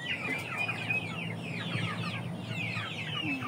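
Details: Continuous high chirping from many chickens, quick downslurred peeps layered densely over a low steady hum.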